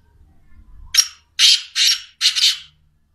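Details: Black francolin (teetar, kala teetar) calling: a short harsh opening note, then three loud rasping, grating bursts in quick succession over about two seconds; faint low rumble before the call, otherwise quiet.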